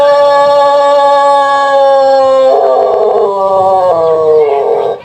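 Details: Long melodious crow of a Pelung chicken, a native Indonesian ornamental fowl from Cianjur, West Java: a steady, loud harmonic note held about two and a half seconds, then breaking into a wavering, pulsing section until it ends.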